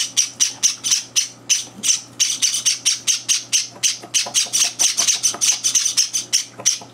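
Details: Java sparrow chicks cry for food at breakfast indoors, three days after arriving, as two older birds crash the feeding; rough, buzzy high cheeps repeat in fast runs with brief pauses, over a low continuous hum.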